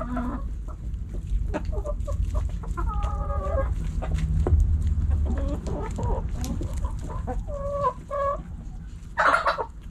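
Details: Backyard chickens, hens clucking while pecking and scratching; repeated nasal clucks and drawn-out cackles, a low rumbling passage midway, and a loud harsh squawk near the end.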